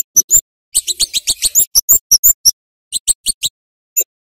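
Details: Flowerpecker giving sharp, keen chirps on a lure recording for young birds: rapid strings of thin, very high squeaky notes, roughly three per second, then a pause and a few isolated chips.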